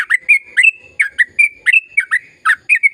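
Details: Sooty-headed bulbul (trucukan) singing a long, chattering rapid-fire song meant to stir silent birds into singing: bright, bubbly notes around a steady whistled tone, roughly four phrases a second, with no other sounds.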